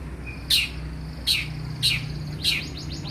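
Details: Oriental magpie-robin song for training and morning and evening therapy: four sharp, high, downward-slurred notes spaced roughly every half second, with a faint low hum beneath.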